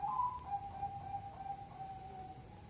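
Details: Zebra dove song of 5, 6 or 7 beats: a short higher opening coo followed by a run of level, mellow coos trailing off, with steady low background hum.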